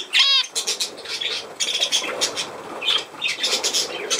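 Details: Budgerigar chattering: a short run of stacked, harmonic chirping notes at the start, then dense scratchy clicks and chirps continuing throughout.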